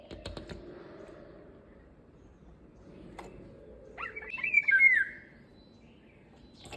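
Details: Indian golden oriole, preceded by a few sharp clicks, then one bright phrase of warbled whistles that slides down into a longer mellow note.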